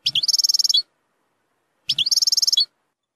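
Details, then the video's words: Tutoring song of a European goldfinch, 'zilzal' style with strong 'nahrat' phrases for young goldfinches: two identical buzzy, rattling trills under a second each, separated by a short silence. "تغريد زلزال للتسميع صغار الحسون ،يحتوي على نهرات قوية"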